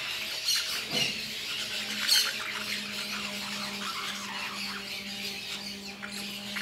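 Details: Lorikeets eating fruit in La Fortuna keep up a busy, scratchy chatter of high squawks and squeals, with a few louder shrieks, over a faint steady low hum.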